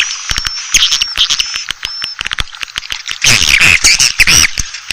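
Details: Asian swiftlet calling sound to lure the birds: thin whistled tones and scattered sharp clicks, then an outburst of loud, harsh twittering chatter in the final seconds.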